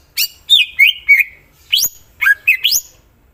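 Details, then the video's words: Greater green leafbird singing short phrases of sharp slurred whistles, some falling and some steeply rising, about three to four notes per group with brief gaps. "Cucak ijo mana Saja akan ikutan bunyi dan gacor dengar c ijo ini bongkar isian full"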